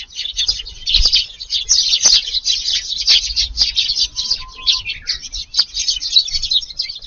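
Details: A busy evening gathering of Eurasian tree sparrows feeding in a garden in Japan, summer. Overlapping sharp cheeps from many birds form a steady chatter, with a short steady mid-pitched tone partway through and soft low knocks.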